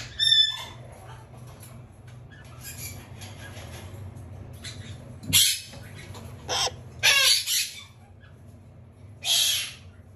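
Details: A red-shouldered macaw chick, sleeping on its back, gives about five harsh, hissy squawks, some in quick doubled bursts, spaced irregularly over ten seconds against a quiet indoor hum.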